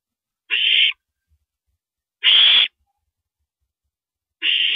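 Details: Live night camera, 1:27 AM, April 9, 2012: a female owl downs a rabbit. Three rough, hissing screeches, spaced about two seconds apart, sound against an otherwise silent background.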